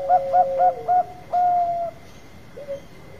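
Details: Zebra dove of the Bangkok type singing a lure song: four evenly spaced bouncy coos, a sustained longer coo, then a brief low rolling note, with a faint steady tone behind.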